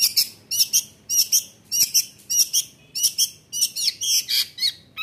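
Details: Long-tailed shrike singing loudly to goad rival shrikes into answering. Scratchy, buzzy, high notes come in quick pairs, roughly two per second, with a few warbled variations near the end over light background hiss.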